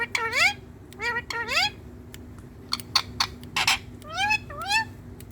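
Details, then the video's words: Hand-tame green Indian ringneck parakeet talking to a mirror: a series of rising, voice-like harmonic calls, some quavering, alternating with short sharp clicks and chatter, against a steady indoor hum. "Talking To Mirror🪞Talking Parrot"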